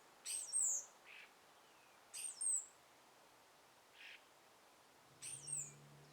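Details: Birds calling from trees at sunrise in a light breeze: sharp, very high chirps, each a quick downward flick with a trailing note, return about every two seconds between softer breathy bursts, over a low hum at the end.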